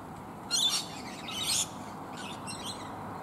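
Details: Feeding high in a flowering bottlebrush tree, a flock of rainbow lorikeets gives two loud, rasping screech bursts followed by softer, lower chatter.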